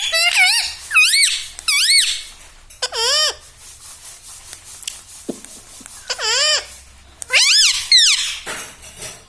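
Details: Talking pet ring-necked parrot, said to say mummy, papa and radhe radhe, delivers a series of wavering, looping squawky phrases in bursts, each bending up and down in pitch, with a quieter stretch midway.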